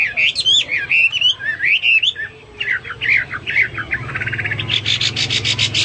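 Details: Hwamei singing strongly, meant as a tutor song for pet birds: warbled zigzag whistles, a rattling run of quick notes, then a burst of rapid harsh chatter, over a faint low hum.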